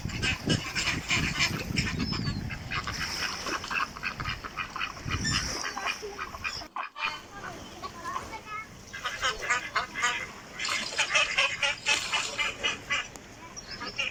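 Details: Ducks calling in a natural setting, a dense run of rapid, harsh quacks in overlapping bursts, with a low rumbling noise early on and a brief silent gap midway.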